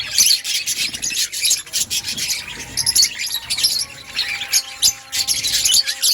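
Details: Budgerigars in an outdoor breeding colony, many birds chattering at once: dense, scratchy, high-pitched chirps and warbles in rapid overlapping bursts, with constant rasping texture and no pauses.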